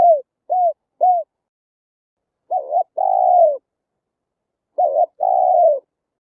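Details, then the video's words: Spotted dove cooing, full song played through a speaker trap to lure wild birds: three short soft coo notes, then two phrases of a brief coo followed by a long drawn-out coo, clean background. "Tiếng chim cu gáy hay, đủ bài"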